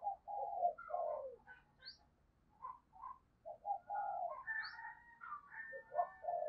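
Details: Decoy spotted dove cooing ('gáy') and 'thúc' calling to draw in wild doves. Low, hoarse coo phrases repeat through the stretch over faint background hiss, with a few higher chirps and a thin rising whistle.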